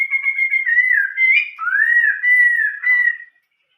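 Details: Chinese hwamei singing an old-forest style song, a long continuous whistled phrase that wavers and slides, dipping lower mid-phrase, then rises again before stopping abruptly; no background sounds.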